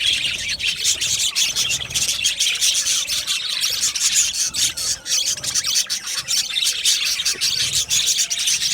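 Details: Colony of budgies in an aviary, many birds chattering at once in a steady wash of high, scratchy chirps and warbles with no pauses.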